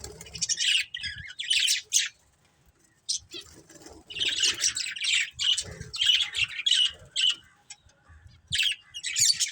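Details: Several colourful budgies chatter continuously, dense scratchy high chirps in clusters, a short lull near the two-second mark, then a long stretch of overlapping rapid tweets.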